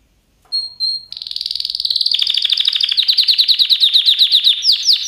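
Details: Canary starting with two brief high notes, then a lengthening trill that turns into loud repeated swept notes.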